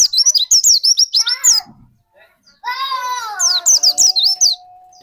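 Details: White-eye song played as a lure to get another white-eye singing: rapid high slurred chirps, interrupted by a lower harmonic wailing sound, then more quick chirps ending on a long steady tone.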